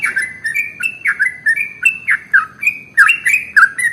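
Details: Sooty-headed bulbul (trucukan) pouring out a long, rapid 'ropel' song used to spur other birds into singing: bright slurred whistles dipping and rising, packed closely together with brief gaps.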